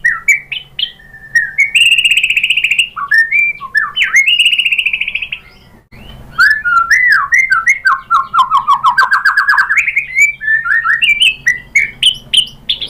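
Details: White-rumped shama lure song: a long, rich flow of rapid trilled whistles, a sustained buzzy high passage, then a rolling cascade of looping notes falling and climbing again, almost without pause.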